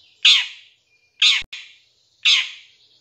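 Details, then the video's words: Long-tailed shrike (cendet) in a pancingan recording: three loud harsh rasping squawks about a second apart, with a faint thin whistle between the first two. "Suara Cendet No #1❗Masteran Pancingan Cendet Isian Tembakan MEWAH"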